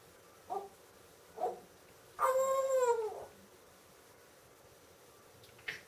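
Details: Pet female talking parrot mimicking howling and barking though no dog lives in the home; two short yelps, then a sustained tonal howl about a second long that bends slightly downward, and a faint squeak at the end.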